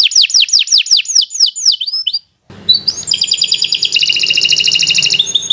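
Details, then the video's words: Canary of the Kenari Nusantara kind singing for birds to learn from: a slow series of sharp downswept notes, a short silence, then dense rapid trilling. "Kicau Burung Kenari 136 II LUAR BIASA GACOR PANJANG Cocok untuk Masteran"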